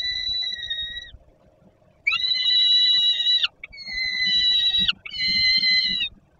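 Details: On 10 August 2022 at Żerań, Warsaw, Poland, a hungry young peregrine falcon begs from a landing below the nest while its father delivers food to another young; loud, sustained whining wails in series, some ending in falling slurs.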